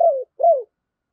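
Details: Spotted dove used as a decoy, calling to prompt others to coo: two mellow low coo notes, each gently falling, with a short gap between, clean and close.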